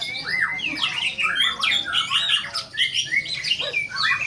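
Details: White-rumped shama singing energetically: a fast, varied run of loud whistled and slurred notes, sweeping up and down with sharp chips, delivered almost without pause over a faint low murmur in the background.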